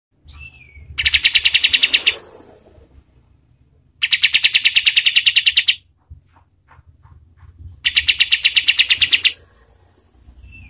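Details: Kapas tembak bird, used as a master song for training competition birds: three bursts of rapid, evenly pulsed high chirps, each about a second and a half long, separated by silent pauses.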